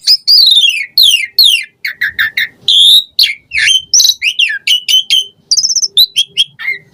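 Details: Asian pied starling in full, richly varied song, played to prompt caged birds to sing: sweeping descending whistles, quick rising chirps, clipped notes in clusters and a few piping high tones.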